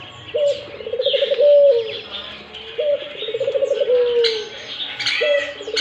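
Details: Steady bouts of cooing from a Barbary dove: a rising onset, a bubbling string of quick pulses, then a gently falling held note, repeating every two to three seconds amid light chirping of other birds.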